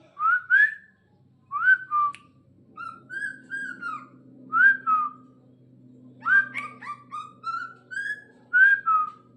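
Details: Caged Bornean green leafbird in training, singing paired and single slurred whistled notes, some with sharp click onsets, delivered in short groups about every second over a soft low hum.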